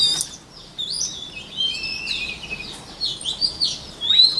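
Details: White-rumped shama singing, offered as a voice-training recording for other shamas: high, varied whistled phrases with sliding and fluttering notes, separated by short pauses, over a quiet background.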